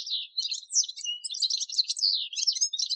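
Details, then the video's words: Male Atlantic canary pouring out a continuous, twittering warble of quick high notes and slurred chirps with no breaks. "Вьюрок канареечный. Кенар Канарейка. Голоса птиц"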